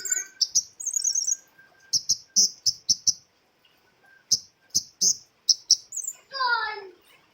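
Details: Female flowerpecker calling to lure birds: rapid runs of piercing high chips in bursts of four to six, with a short trill. A falling, harmonic-rich slur is heard near the end.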